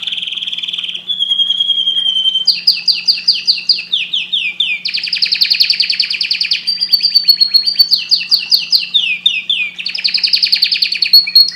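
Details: Long canary song: a steady whistled tone, then alternating tours of rapid rattling trills and dense buzzy rolls, with bright sliding notes linking the phrases, strong and continuous throughout.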